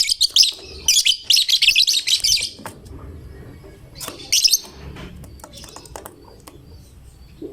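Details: Caged lovebird, described as a fighter that draws other lovebirds into singing, pours out a rapid run of shrill, high chattering notes for about two seconds, pauses, then gives another short burst, over faint low background hum.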